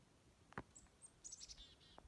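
Thin, high chickadee notes come in a quick scatter, ending in a short buzzy phrase. Two sharp clicks or knocks are heard against quiet woodland.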